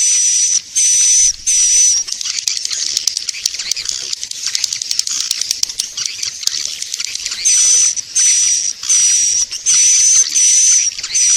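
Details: Swiftlet lure call meant to draw swiftlets in, played for swiftlet farmers. Starts and ends with high buzzy bursts carrying a thin whistled tone, with a long stretch of dense crackling, clicking chatter in the middle.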